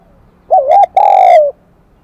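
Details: A single phrase from a wild-caught spotted dove with the kim đồng voice, a high, bell-like song type: a quick undulating coo, a brief break, then a sustained mellow note sliding slightly downward. Quiet background.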